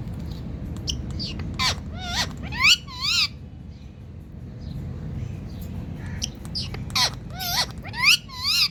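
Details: Indian parrot calling: loud harsh squawks and wavering, rising screeches in uneven bursts, several in quick clusters separated by quieter pauses, over a low background hum.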